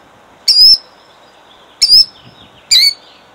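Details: A female killdeer defending her eggs by a roadside in Jackson, New Jersey, 2008, with the recordist about five feet away. She gives three shrill, high, piercing alarm notes about a second apart over a faint low rumble.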